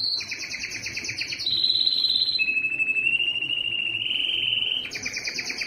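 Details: Yellow canary singing a chain of trills: a fast two-tone rattle, a buzzy mid-pitched roll, then a long low even trill before the rattle returns.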